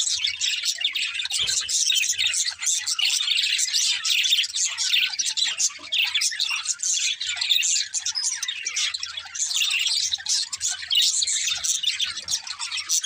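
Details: A group of budgerigars, described as happy and playing, chatter continuously with rapid high chirps, squawky notes and warbles, with a low bump early on.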